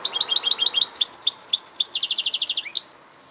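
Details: European goldfinch singing a fast, tinkling run of high twittering notes that ends in a tight, rapid trill and one upswept note, with a faint background hum.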